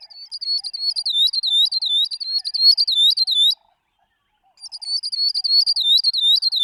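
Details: A long, steady series of high, upslurred whistled notes from a Northern grosbeak-canary, repeated a few times a second for over three seconds. After a brief pause the same series resumes. Faint low clicks sit underneath.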